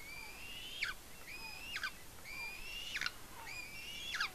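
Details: Young eagle at a nest on Smola, Norway, squeals excitedly over a fish meal, mother on a branch above, 7.12.18. Four long, thin, slightly rising whistles, each ending in an abrupt sharp drop, roughly one per second.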